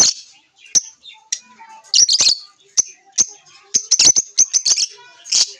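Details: Lovebirds chirping with repeated sharp, high, clicky chirps and short harsh squawky bursts, busy and irregular throughout.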